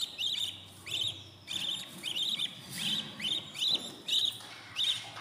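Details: Budgerigar chicks at day fourteen in a new nest give grating, buzzy high chirps roughly every half second, evenly loud, over a faint low hum.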